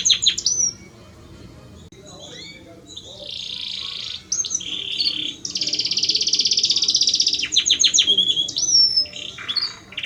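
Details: Belgian canary male singing for his mate, opening with sharp whistled slurs, then long dense buzzy rolls held for several seconds, broken by quick ticking phrases and a falling whistled note.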